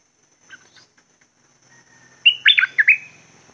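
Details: Caged red-whiskered bulbul first gives a few soft scattered chips, then a clear, rapid run of five whistled notes, each swooping downward, ending in a short trailing tone.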